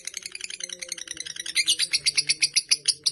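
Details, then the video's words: Fighter lovebird kept indoors, giving its long chattering song: rapid harsh high notes repeated about twice a second, growing louder midway, with faint low hum in the background. "Lovebird Fighter durasi hampir 4 menit"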